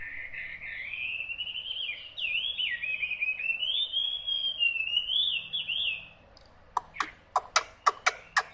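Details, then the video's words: Hwamei singing a long, continuous run of rich warbled and whistled phrases that rise and fall, ending in a burst of sharp, evenly spaced clicking notes. "Họa mi"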